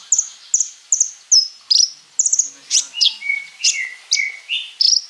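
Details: Lively flowerpecker song for training other birds to sing: quick high chirps in pairs and triplets, then lower slurred notes and descending strokes, about two phrases a second.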